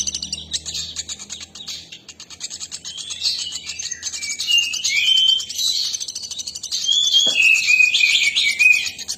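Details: A nuthatch in active song: rapid thin high chittering that swells and fades, broken by clear short whistled notes and quick downward slurs in the second half, over a low hum at the start.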